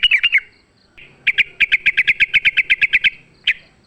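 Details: Yellow-vented bulbul in wild, fighting-style song, used as a lure to make a kept bulbul sing and answer back. Rapid bubbly notes, then a fast, even series of about fifteen short, bright, repeated notes, ending with one isolated note.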